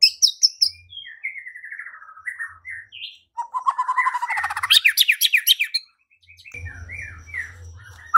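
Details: White-rumped shama song used to provoke singing and fighting, with high chirps, descending whistled phrases and a rapid buzzy rising trill, ending with softer notes over a low hum.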